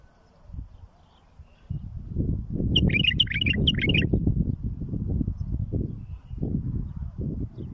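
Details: A bulbul sings for the tutoring and rearing of chicks. One fast, bubbling whistled phrase of about six notes stands over loud, continuous low rumbling noise.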